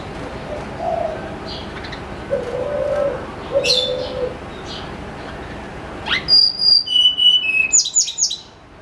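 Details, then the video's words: Lure recording of a snowy-browed flycatcher's morning song: low cooing and faint chirps at first, then a bright cascade of thin, high whistled notes descending in steps, ending abruptly. "PANCINGAN SUARA BURUNG TLEDEKAN GUNUNG GACOR"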